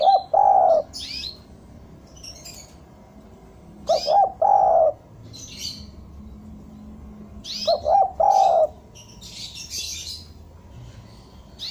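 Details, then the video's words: Lure recording of a spotted dove singing to bring doves down: three phrases about four seconds apart, each two quick low coos then a longer rolling coo, with thin high chirps from other birds between. "Suara derkuku bahan ini sangat pas untuk pancingan tekukur pikat agar mau turun"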